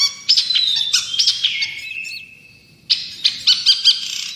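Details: Long-tailed shrike singing for tutoring songbirds: scratchy chattering notes lead into a long, smooth, slowly falling whistle, then a pause and a fresh burst of bright chirps.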